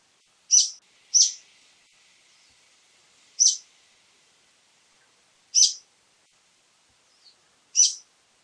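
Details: Repeated grating high calls of a brown-eared bulbul, a quick double call then single calls every two seconds or so, five in all, with light hiss between.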